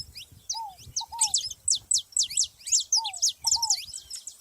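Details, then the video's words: Saffron finches in nature: crisp, high, strongly sliding chirps in clustered bursts separated by short pauses, with a lower two-note descending whistle appearing twice, on a quiet background. "canário da terra junto na natureza"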